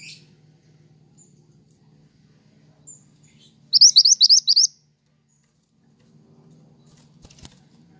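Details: Pied triller singing actively, used for luring and for tutoring songbirds: a single dense burst of about seven quick upswept high notes, then near silence with a soft low hum and a brief click.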